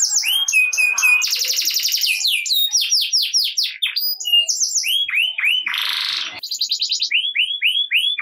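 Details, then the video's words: Canary in energetic song, played to get idle canaries singing at once: varied phrases of quick trills, repeated looping downslurred notes, a harsh buzzy burst and rising slurred whistles, delivered almost without pause. "Kenari Gacor Ngerek Cocok Buat Kenari Yang Malas Bunyi Jadi Ikut Bunyi Seketika || Voice of Canary"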